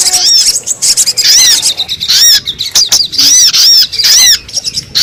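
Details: Brown-throated sunbird lure recording for drawing wild birds down quickly: sharp, high arched chirps in rapid bursts, repeated about every two seconds with short silent gaps.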